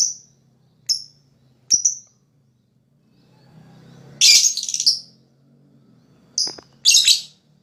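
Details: Lovebird, recorded as therapy to spur rival lovebirds into 'ngekek' chattering: sparse, thin high chirps spaced about a second apart, followed by a couple of louder, rougher shrieks.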